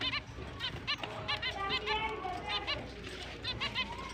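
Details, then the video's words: Happy chirping from finches beginning breeding season, October 29, 2023: rapid series of short, bright, nasal chirps from several birds, evenly spaced, with steady background hum and faint talk. "Finch is breeding start Mating Season, Happy chirping sound"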